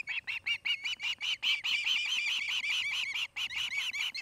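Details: Osprey pair nesting in Charlo, Montana: rapid piercing whistled chirps tumble together, partly overlapping into a near-continuous chatter for a stretch before breaking back into separate repeated notes.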